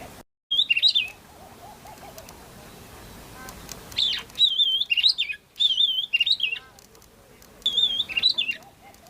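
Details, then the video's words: Oriental magpie-robin singing: a repeated phrase of clear, wavering whistled notes, each burst about a second long and recurring every few seconds, separated by quieter gaps with faint lower notes in the background. "Oriental Magpie-Robin"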